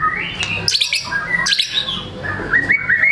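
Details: White-rumped shama singing energetically and unloading its repertoire, offered to prompt lazy, silent shamas into song: varied whistled notes and buzzy slurred phrases jumping between low and high pitches, with short rising whistles near the end.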